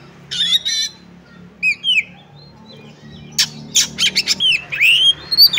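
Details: Oriental magpie-robin delivering a fighting song: scattered whistled slurs and a harsh burst, building into a fast string of sharp clicks, chirps and rising whistles toward the end.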